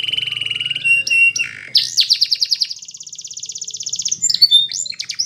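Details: Belgian canary song for training young birds: a steady low rolling trill, a few sharp chirps, then a long high rapid trill and closing varied notes, with faint low noise.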